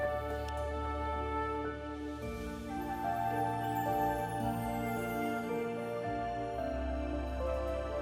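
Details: Gentle, melancholy instrumental music with steady held notes and a low bass line throughout, with no animal voices present.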